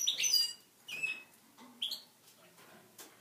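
A goldfinch-canary mule sings to canary hens in three quick bursts of high, bright twittering notes, the first the loudest, then softer trailing chirps.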